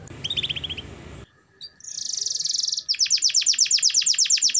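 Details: Canary song used as therapy for canaries reluctant to sing: brief high chirps over low noise, a pause, a steady buzzy trill, then a fast run of repeated whistled notes.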